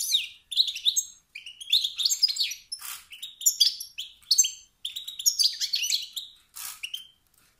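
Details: Excited male European goldfinch calls meant to provoke other males into singing: dense run of sharp, high chirps and tinkling twitters, loud and continuous with brief gaps.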